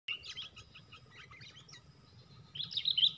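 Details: Sooty-headed bulbul in a fighting encounter, four birds against one, during lure trapping; bright chirps and short twittered phrases, a louder burst of dense high chirping near the end.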